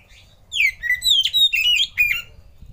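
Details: Oriental magpie-robin lure song, used to prompt other birds to sing: a loud, clear phrase of about two seconds made of rich whistled notes that slide down, then bright warbled twists, set against a quiet background.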